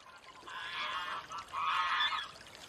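Greylag Goose giving two drawn-out, nasal honks, each close to a second long, harsh and rich in overtones, separated by a brief pause.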